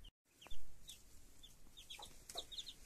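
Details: Broody hen with her chicks: thin, high peeping notes from the chicks scattered through the clip, some sliding downward, with a sharp tap near the start and soft background rustling.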